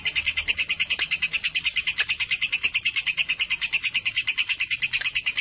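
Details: Bold young lovebird, described as fit for tutoring, chatters in a fast, strikingly regular train of shrill double-toned chirps, about three per second, sustained without a break.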